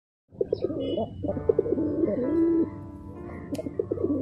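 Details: A pet Giribaz pigeon, a breed that flies three to four hours in the sky, gives low, throaty coos in short rolling bursts.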